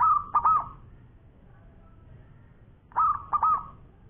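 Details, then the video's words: Zebra dove of local stock, a champion with a long-voice song, calling actively. Two repeated cooing phrases roughly three seconds apart, each a sharp coo, then a stuttering pair that trails into a held tone. "Bunyi Perkutut Lokal Gacor Suara Panjang Juara"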